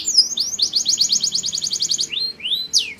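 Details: Singing canary, song linked to mating and stimulating birds: a sweeping whistle, then a fast even trill of rising notes for over a second, followed by a few separate upward-sweeping whistles.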